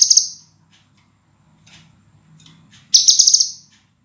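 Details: Training master for cage birds featuring a scarlet minivet singing clearly, densely and sharply; one high phrase ends, soft scratchy calls follow, then a full burst of rapid shimmering high notes.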